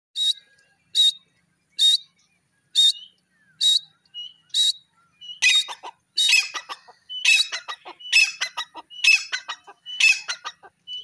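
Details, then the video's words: Grey francolin calling loudly: six clean, evenly spaced high notes about once a second, then a denser run of harsher, overlapping repeated phrases as the calling builds, with no other clear sounds. "the call of the pheasant bird,grey francolin bird awaz"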